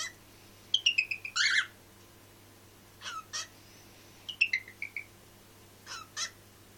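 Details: Pet cockatiel Pip (Nymphicus hollandicus) mimics human speech, saying "Hello Pip" to himself in short, squeaky, whistled phrases with pauses between them.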